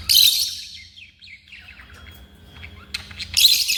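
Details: African lovebirds kept at home: sharp piercing shrieks at the start and end, with quieter scratchy chirps and twittering between them and a faint low hum.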